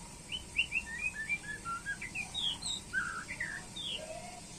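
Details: White-rumped shama singing during a pairing session: a quick string of short, clear whistled notes, some rising and some falling, varying in pitch and ending on a lower slurred whistle, over a faint steady hum.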